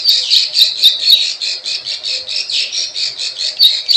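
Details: Plain prinia lure call: rapid buzzy, scratchy notes around the upper-middle range, pulsing about four times per second with sharp high clicks above, steady and dense throughout.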